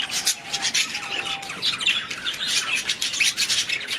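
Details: Busy budgerigar chatter: overlapping rasping chirps and short squeaky notes, with a faint steady low whistle-like tone in the first second and a half.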